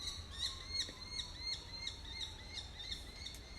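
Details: A family of peregrine falcons nesting in trees on a residential street in July gives a rapid series of sharp, harsh notes, about three per second, over a faint steady hum, as the birds take flight after prey.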